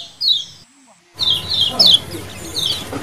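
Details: Lemon-bellied white-eye colony calls used as a lure: a few high falling chirps, then a short silent break before a fresh run of scattered, sharp descending chirps over a faint low hum.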